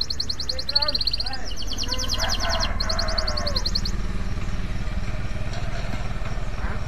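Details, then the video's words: Male canary in breeding condition sings dense, high, rattling trills in two long bursts. After about four seconds the trills stop and only a loud, low engine-like rumble remains. "SUARA KENARI JANTAN BIRAHI"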